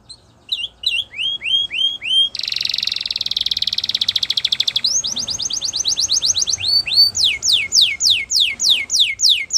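A Spanish Timbrado canary sings a varied, metallic song: rising whistled notes, a fast buzzy trill, then rapid repeated chips and sweeping clear notes.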